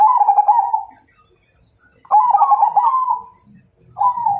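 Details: Rolling, trilled cooing from a Majapahit zebra dove, given as a challenge to fight; two long warbled phrases separated by a short pause, then a third beginning, with faint low rumbling underneath.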